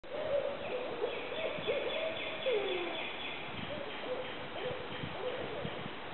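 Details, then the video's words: At Northlake Nature Center, an owl gives a run of low, wavering hoots that rise and fall, with fainter higher notes above and some background rustle. "Owl call"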